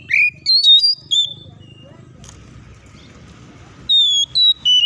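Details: Oriental magpie-robin singing hard to trigger other birds to sing: a few sharp whistled notes, then about two seconds of near silence with faint rustling, then more clear, level whistles.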